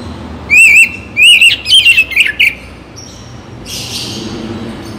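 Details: Oriental magpie-robin (kacer) song for morning and evening, intended to make birds keen to sing: three short bursts of warbled whistles and slurred notes early on, then a faint hiss and quiet background.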